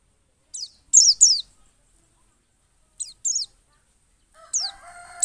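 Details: Pleci white-eye from Pacitan, Indonesia, heard as a lure to coax other birds into song: sparse clusters of high, steeply descending whistled chips separated by pauses, with a lower harsher sound beneath the last notes.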